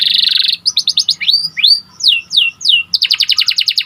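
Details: White panda canary song opening with a dense buzzy trill, then quick chips and a series of clear down-slurred whistles before ending in a fast rolling rattle; clean with little background.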